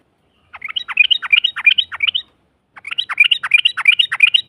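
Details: Yellow-vented bulbul lure song for provoking a rival's reply: two rapid rippling phrases of bubbly, warbled notes, each lasting under two seconds, split by a short silence.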